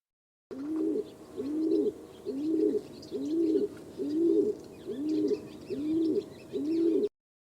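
Rock Dove giving soft, low, rolling coos, each about half a second long, repeated roughly once a second in a steady series; faint twittering of other birds behind.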